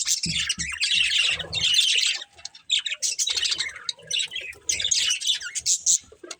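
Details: Two budgerigars, a breeding pair, give bursts of busy chirping warble separated by short quiet gaps, with faint low thumps underneath.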